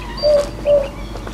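Southern Boobook giving its soft, hollow two-note 'boo-book', two even, mid-pitched hoots about half a second apart, over faint background hiss.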